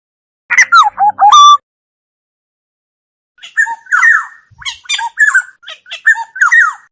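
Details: Black-naped oriole song, recorded clean without background noise: a brief loud burst of harsh, nasal notes, a pause, then a run of fluty slurred whistles and downward swoops.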